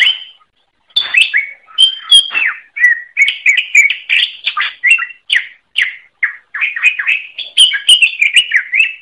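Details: Greater green leafbird, a training recording for songbirds, singing a continuous run of varied whistles, slurs and chatters, phrases tumbling quickly one after another with hardly a break.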